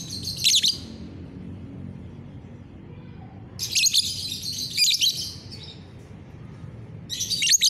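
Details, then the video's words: On a bright morning, 30 November 2021, a lovebird gives long harsh chattering phrases full of squeaky chirps, separated by a quiet gap of almost three seconds, steady low hum behind. "GACORAN LOVEBIRD"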